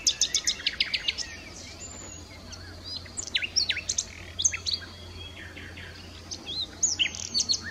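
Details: Nightingale song in natural surroundings: a fast run of sharp repeated notes opens, followed by varied high whistles, slurs and clicks, with a constant low hum underneath.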